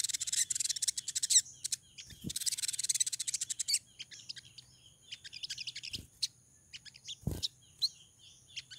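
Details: Female pied triller in heat calling to lure a male: dense bursts of rapid, high, scratchy chirps through the first four seconds, then sparser sharp notes, with a few low thumps and a steady high hiss behind.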